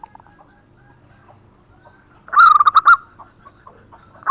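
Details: Local zebra dove song, used to lure other doves: mostly quiet scattered soft notes, with one loud burst of rapid rolling coos in the middle and another starting at the very end.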